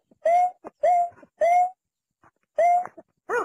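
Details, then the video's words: Watercock of rice paddies and marshes giving slurred, rising-then-flat whistled hoots about every half second. Soft knocking clicks fall between them, and the series ends in one throaty, ringing pulsed note. The recording is clean. "Mp3 Ayam Ayaman Sawah"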